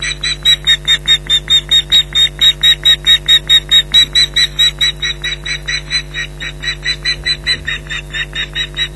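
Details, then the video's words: Ospreys shouting at a persistent intruder near their Loch Garten nest in mid-July 2011, a second bird joining in: steady, rapid series of sharp, high yelping calls, slightly fading toward the end, with constant low camera hum. "Intruder Alert part 3"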